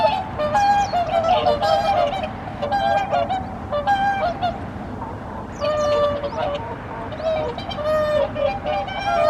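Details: Wintering whooper swans at a pond in Omitama, Japan, 24 November 2025, just arrived for the season. A flock calls with mellow, trumpeting honks, many voices overlapping in uneven runs over a steady background murmur.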